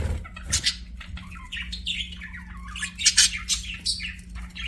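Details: Budgerigars chirping, likely in an aviary: dense bursts of bright warbling and squawky chirps, rapid and overlapping, with a steady low hum underneath.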